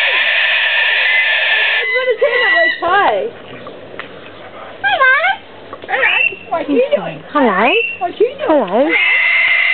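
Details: A cockatoo described as having totally lost it lets out harsh screeches at the start and end. In between come many quick swooping, up-and-down notes, mixed with a person's voice repeating hello.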